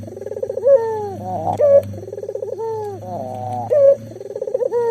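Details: Local Barbary dove cooing persistently, used as a lure to get silent doves calling: throaty rolling coos around a low pitch, pulsed trills leading into bent, drawn-out notes, repeating every two seconds over a steady low hum.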